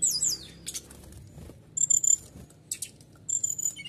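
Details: Canary singing loudly, used to provoke other birds into singing: bursts of high rapid trills and buzzy notes separated by short pauses, with a faint low hum beneath.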